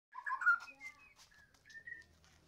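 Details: White-rumped shama of the Medan type singing in the afternoon: a short burst of loud, rich whistled notes that slide between low and mid pitch, then fade into quieter, thinner whistles.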